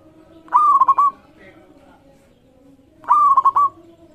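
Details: Local zebra dove giving its song to stir other birds into singing: two phrases about 2.5 seconds apart, each a rising opening note then a rapid stuttering run of coos, over faint background cooing.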